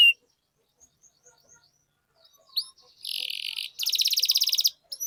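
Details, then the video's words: Canary lure song for prompting other canaries into long rolling song: mostly quiet at first, then a couple of brief upslurred chips, followed by two dense buzzy trills close together near the end. "Suara Pancingan Burung Kenari Agar Cepat Gacor dan Ngerol, Masteran Suara Kenari Ngeroll Panjang"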